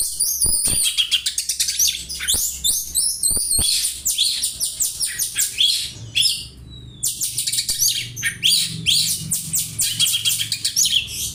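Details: Oriental magpie-robin song imitating house sparrow chirps, used for tutoring other birds: dense rapid chirping phrases, harsh and varied, in near-continuous bursts with brief pauses and some clicks.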